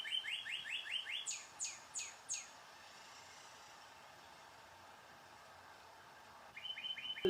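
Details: Northern Cardinal in Sutton, Québec, in winter, when it is seldom heard singing: about six quick, clear down-slurred whistles, then four higher, sharper slurs, a quiet pause, and a short rapid run of whistles.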